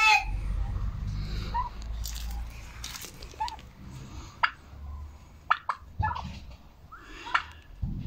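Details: Domestic hens recorded on 10 October 2022: short, rising, nasal calls near the middle register come at irregular intervals, mixed with sharp clicks and knocks and a low rumbling background.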